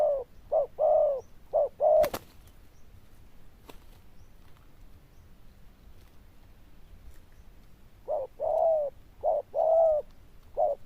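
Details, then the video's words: Zebra dove cooing in two bursts of short, rounded purring notes at mid pitch, separated by about six seconds of quiet with a single sharp click. "Đồng Chuông Lớn Tiếng, Nước Gù khá Tốt"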